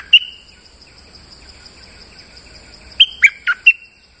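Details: Lure song of a moulting bulbul: one isolated sharp whistle, then after a quiet gap a rapid phrase of four loud whistled notes dropping and rising in pitch; faint distant bird notes and hum.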